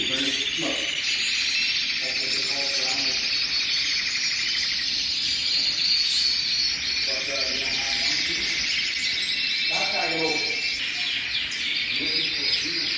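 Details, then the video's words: Chorus of hundreds of colorful canaries: continuous high, bright trilling and warbling from many birds at once, with short bursts of lower, harmonic calls or voices surfacing every few seconds beneath it. "Hundreds of of beautiful colorful Canaries Singing"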